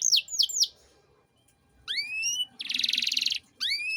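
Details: Canary singing as a tutor recording for young birds: three quick descending notes, a pause, rising whistled sweeps, a dense buzzy rattle, then more rising whistles.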